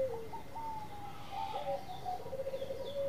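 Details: Faint singing of a Bangkok-type zebra dove: thin whistled coos gliding downward, then a chain of rapid pulsed notes and a level closing tone, buried in broad background hiss.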